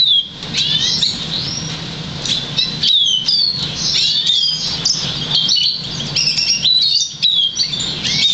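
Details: Crested, 50% variegated Black Siskin x Russian Canary mule bred in August 2009, trained to sing European Goldfinch notes; fast twittering song of high chirps, slurred notes and brief trills, with low background hum.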